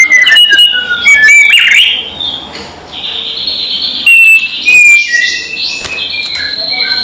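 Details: White-rumped shama, a loud kretekan-style lure call meant to provoke rival birds: bright whistled notes and short sliding phrases, broken by harsher noisy bursts and brief pauses.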